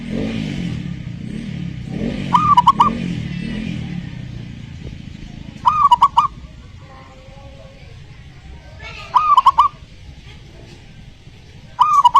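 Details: Zebra dove on a terrace, song played to lure silent doves into answering: short bubbly bursts of clear cooing notes about every three seconds, separated by quiet stretches with a steady low rumble, louder at the start.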